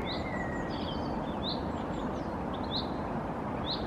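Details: A European goldfinch (Carduelis carduelis) perched in a tree in Helsinki, Finland, in April 2022 sings quick, high, tinkling twitters in short scattered bursts over a steady low background rumble.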